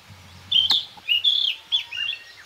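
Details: Narcissus flycatcher singing among fresh green leaves, recorded on a nature walk in northern Harima, central Hyogo Prefecture, Japan: clear whistled phrases near 3–4k pitch, a sliding warble and short trills, with a brief click near the start.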